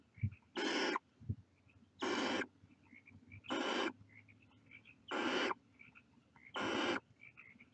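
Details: Five rasping, breathy hisses from barn owl chicks in their nest, each short burst repeated roughly every one and a half seconds, with a couple of faint low thumps near the start.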